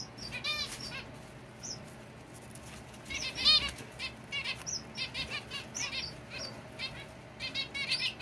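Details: Several pet zebra finches at home, lively, trade short, nasal, trumpet-like beeps in quick irregular bursts. The calls overlap into a busy chatter, with a soft flutter of wings between them.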